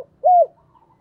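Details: Caged decoy spotted dove giving a calling coo: a single clear, mellow, arched note, rising then falling, in a quiet setting.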